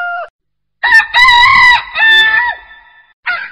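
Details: Chicken giving loud, harmonic, drawn-out crowing phrases. A short tonal note comes first, then after a gap a long strained cry breaks into segments, with another call starting at the end.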